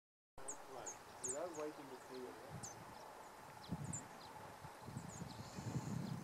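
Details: Giant Hummingbird perched at close range in Ecuadorian páramo giving thin, sharp, high-pitched chip notes, a dozen or so at an uneven pace, over a low murmur of voices and rumbling wind.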